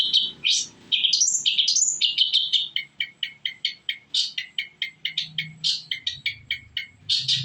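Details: Cendet, a shrike, singing as a lure for other birds to respond: a few swooping whistles followed by a steady series of short, sharp repeated chips, roughly three per second.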